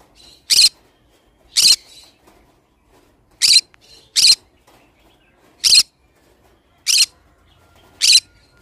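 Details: Pet pineapple green-cheeked conure calling with harsh, scratchy squawks, seven short bursts spaced roughly one second apart, loud and broadband over a quiet indoor background.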